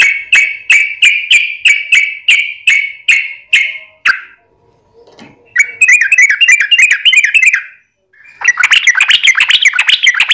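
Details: Yellow-vented bulbul singing a lure to set off other bulbuls: about a dozen sharp, evenly spaced chirps, a brief quiet gap, then dense rapid warbling chatter in two long runs.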